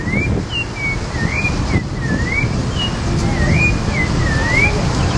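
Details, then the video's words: A Brazilian thrush (sabiá), possibly a Pale-breasted or Creamy-bellied Thrush, sings a string of clear, sliding whistled phrases, rising and falling a few times each second, over a steady low rumble of traffic. "O Canto do Sabiá"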